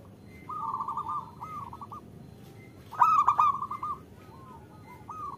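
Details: A female zebra dove calls to draw a male into song, giving short rapid bursts of soft, level coos, one louder run in the middle, over a quiet background.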